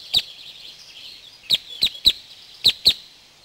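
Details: Western Yellow Wagtail (Motacilla flava), a rare or passage bird in Corrèze, France, giving sharp, very short high call notes, six in about three seconds at an uneven pace, over a faint high background hiss.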